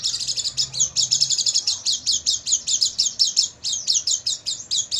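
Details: Night-time Oriental white-eye song used to train caged birds to open their beaks and sing fully in the morning: a continuous, high-pitched stream of quick chirping notes, steady and unbroken for the whole stretch.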